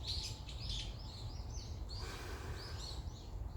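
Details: Jeju birdsong outdoors with wind: a few bright, high chirps and short sliding whistles, thinning out after the first two seconds, over a constant low wind rumble.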